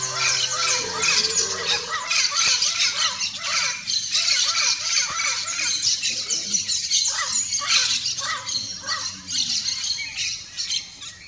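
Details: Turquoise-fronted parrot vocalizing: rapid series of raspy, rising-and-falling squawks repeated about twice a second, layered over a constant chorus of shrill chatter, sustained for the whole stretch.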